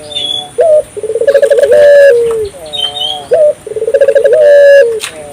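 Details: African collared dove calling keenly to stimulate other local doves: two full coos with a short opening note, a pulsing trill and a long sliding ending, plus sharp chirps from other birds.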